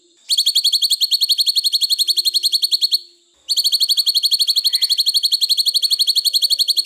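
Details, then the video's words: Greater green leafbird, cucak cungkok, in a long training recording: two sustained, rapid, very regular trills of sharp high notes with bright overtones, about 3 seconds each, split by a half-second pause. "masteran cucak cungkok terbaru panjang panjang"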